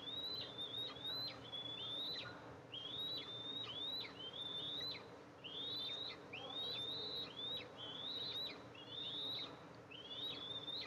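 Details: Nest of Eastern imperial eagles with two eaglets, filmed in July as the adult female brings food. Short upslurred whistles repeat about once a second in quick runs, with brief pauses, over a low background hum.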